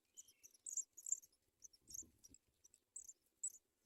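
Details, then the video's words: Sprague's pipit bringing food to nestlings. Rapid high squeaky chips in clusters, one thinner whistled note early, and a low rustling thump in the middle. "Sprague's pipit Bird brings baby food"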